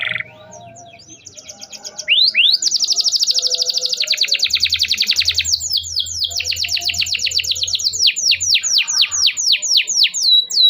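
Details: Canary song used to stimulate canaries that stopped singing: after two quiet seconds, rapid high trills and buzzy rolling phrases, then a series of descending whistled sweeps repeated about four per second, with a faint low hum underneath.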